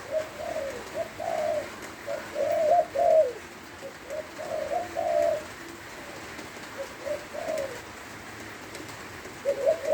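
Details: Spotted dove from Lopburi, Thailand, singing as rain falls: repeated phrases of soft throaty coos, stuttering notes building to a fuller drawn-out coo, several phrases in ten seconds, rain hiss behind.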